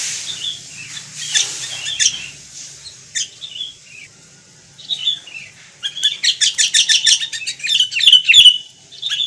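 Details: Sooty-headed bulbul (kutilang), Indonesia: scattered soft slurred whistles at first, building into a fast, dense sequence of sharp chirps and bubbly twittering toward the end.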